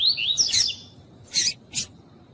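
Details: Female Double-collared seedeater calling to stimulate a male: a quick warbling run of high, thin whistled notes that slide up and down, then two short, harsh, buzzy bursts.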